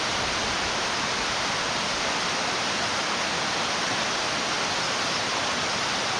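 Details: Constant roar of a flowing mountain stream, a dense unbroken hiss with no animal voice audible.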